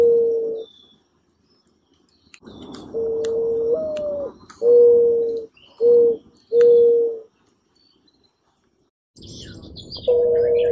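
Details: Dove perched on a branch, cooing: steady low pure-toned coos, one briefly stepping higher, then several shorter coos in a row, with a soft background hiss and faint chirps.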